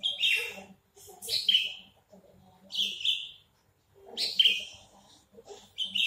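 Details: Caged Horsfield's bush lark, large and crested, sings bright buzzy chirp bursts about every one to one and a half seconds, separated by short silences and faint low notes.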